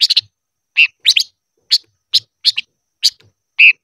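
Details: 'Ché' style song of a silver-eared mesia used for voice training: clusters of quick high chirps mixed with lower, fuller slurred notes at irregular intervals.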